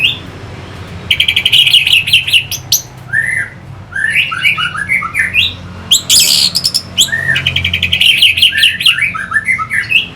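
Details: Orange-headed thrush song meant to spur fighter birds: rapid buzzy trills alternate with short slurred whistles and crisp chirps, a dense, energetic medley continuing with brief pauses over a low hum.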